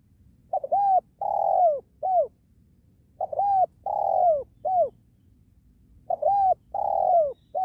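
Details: Spotted dove, a lure bird used while trapping wild doves beside a sacred tree. Three phrases of a short hooked note, a long falling coo and a clipped final note, roughly every three seconds over a quiet low rumble.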